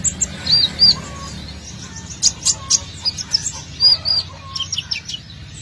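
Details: Olive-backed sunbird, in vigorous song used as a lure recording to draw birds in: sharp high chirps and short whistled notes in scattered bursts, with a few lower whistles and a faint steady hum underneath.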